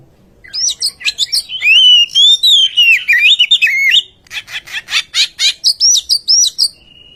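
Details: Oriental magpie-robin giving its sweet lure song, meant to get silent birds singing: loud fluid whistled phrases that rise and fall, then a quick rhythmic series of harsh pulsed notes, closing with high looping whistles and a faint held tone.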